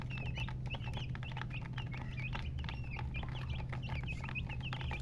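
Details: Several colour chicken chicks peep repeatedly: short, high, slightly rising chirps come every fraction of a second and often overlap, backed by a constant low electrical-like hum and soft tapping noises.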